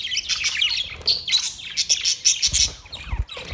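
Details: White and green parrots calling together in a colony, August 26, 2023: dense, continuous high chirping and sharp squeaky tweets from several birds at once, with a few low thumps toward the end.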